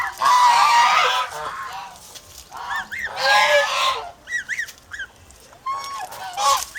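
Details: A protective flock of domestic geese in the Philippines gives two loud harsh honking outbursts, then clusters of short clipped arched honks and a final brief blast.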